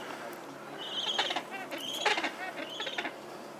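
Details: A hungry Gentoo penguin chick at Brown Station, Paradise Bay, begs for food with squeaky, wavering calls in quick bursts, rising and falling in pitch, over a soft background hiss.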